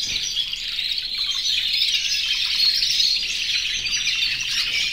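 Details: More than a hundred aviary canaries singing in breeding condition, calling to females; dense chorus of rapid high trills and clear whistled notes, growing slightly louder in the middle.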